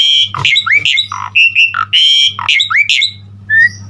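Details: Asian pied starling (jalak suren) in lively gacor full-repertoire song used as a training lure: harsh squawky notes mixed with short twisting whistles, delivered in quick bursts.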